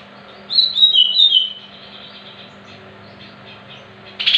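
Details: A greater green leafbird sings a lure song meant to prompt other leafbirds into 'muntah beling' singing. It gives a second of bright, descending whistled phrases, then near silence, then a sudden loud note at the end.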